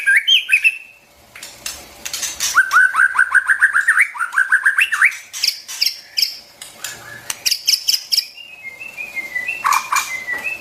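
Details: Long white-rumped shama song used to tutor young birds: a bright opening flourish, then steadily rising runs of rapid notes repeated several times, loud clicks, and a closing set of clear high whistles.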